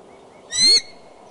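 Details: Bald eagle calling near its nest at Decorah, 2 February 2012, 9:30 am, during serious courting and possible mating. A single brief, high, shrill call with bright harmonics rises and falls in under half a second over quiet background.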